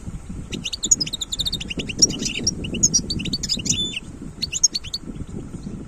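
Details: Wild European goldfinch giving liquid twittering phrases with short clear whistles and chips in bursts, set against steady low murmuring background noise.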